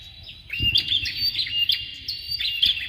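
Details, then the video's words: Bar-winged prinia pair, male and female, kept to tutor competition birds; high, sharp chirps and short buzzy twitters in quick bursts, a few faint thumps in the background. "BURUNG PRENJAK JANTAN DAN BETINA SIAP UNTUK MASTERAN PANCINGAN CALON JUARA"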